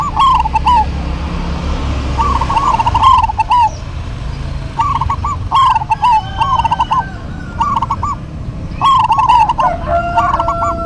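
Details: Duet of local zebra doves: repeated bubbling, trilled cooing phrases from two birds, sometimes overlapping, with a thin steady whistle-like tone near the end and low background noise.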